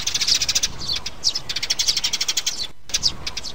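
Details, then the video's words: Sparrows, a mother with her chicks, in a trapping lure recording: quick high-pitched chirps in fast runs, some sharper single notes standing out, with a brief gap near the end. "Tiếng bẫy chim sẻ Sẻ mẹ, sẻ con"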